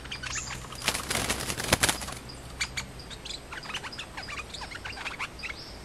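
A songbird gives sharp, high chirps and clicks in quick irregular bursts, mixed with loud fluttering wingbeats, as rival males fight rather than sing.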